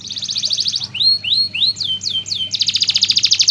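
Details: Canary singing as a master bird for teaching song to other canaries: a fast buzzy high trill, then a series of rising and falling whistled slurs, ending in another rapid rattling trill.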